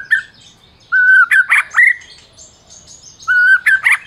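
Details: White-rumped shama, a Medan-type champion bird, singing a master song meant to provoke silent shamas into singing: a steady whistled note near mid pitch, then sharp rising and falling slurred phrases, repeated after a pause.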